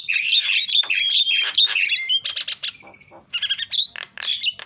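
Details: Lure calls from a starling to get other birds calling: dense harsh chatter with whistled tones, a short steady whistle, then more scratchy bursts and clicks.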